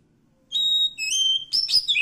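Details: Wild Oriental magpie-robin from the forest singing clear whistled notes: a level whistle, then a lower drawn-out one, followed by quick sliding, warbled phrases, with a faint low hum behind.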